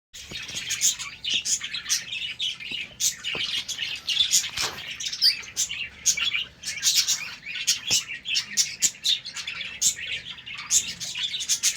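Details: Budgerigars in a colony breeding setup in the morning, playing: dense high chattering and chirping from many birds at once, continuous warbling with sharp clicks and squeaks throughout.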